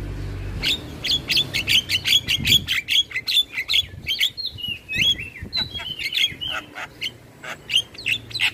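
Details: Javan myna, singing while nodding, used to train other starlings: a rapid series of bright repeated chip notes, about two or three per second, shifting into varied whistled slurs and clicks.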